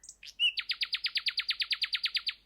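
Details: A Common Nightingale song phrase: a couple of high introductory notes and a pure whistle, then a fast, even run of about sixteen harsh repeated "jug jug" notes; a UK night singer, in song from late April to early June.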